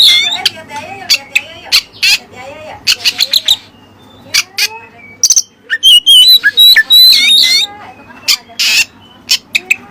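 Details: Oriental magpie-robin (kacer) singing with learned 'isian Cililin' material; a fast, varied run of sharp high chirps, harsh buzzy bursts and clear whistled notes that rise and fall, delivered in quick, irregular clusters with brief pauses.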